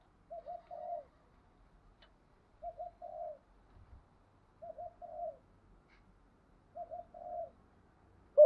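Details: Spotted dove kept as a decoy, cooing to lure wild doves; four softer, evenly spaced phrases roughly every two seconds, each a short double note then a longer coo, with faint low thumps between.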